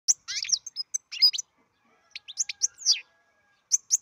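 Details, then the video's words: Captive-bred European goldfinch singing: quick bursts of high, tinkling twitters and sharp chips, short phrases broken by brief pauses, in a quiet setting. "καρδερίνα εκτροφής (goldfinch carduelis singing)"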